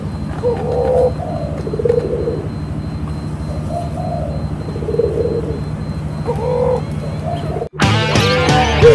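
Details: A dove of the cuhu tangerine variety, which the owner believes is a male, gives soft, low, rolling coos about once a second over a steady engine-like hum, followed abruptly by a burst of music.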